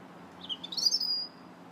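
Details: In January a robin gives a brief thin warble, rising into a high sustained whistle that fades out, over low steady hum.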